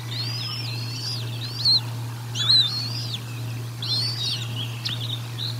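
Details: Nest camera at Decorah North, bald eagle feeding, 04 01 2022: clusters of quick, high, squeaky arched chirps, roughly one burst per second, a few louder, over a continuous low hum.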